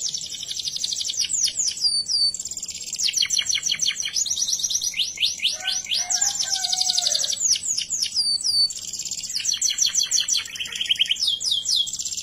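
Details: Morning canary song meant to set other canaries singing: a steady run of high, fast trills and rolling phrases, shifting between repeated note types, with a brief lower warble in the middle.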